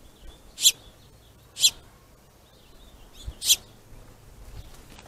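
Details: Finches fighting over a food source: three loud, harsh, scratchy bursts spaced one to two seconds apart, with faint high chirps between them.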